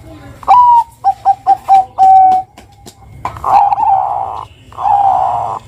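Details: Zebra dove, a perkutut from Bangkok used as a prompting bird to make young doves sing: a few short notes, then a sustained coo, then two long rolling coos.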